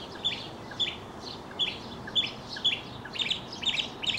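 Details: Leaping, tumbling male mockingbird singing; a bright high note repeated roughly twice a second, building into fuller, stacked chirps toward the end.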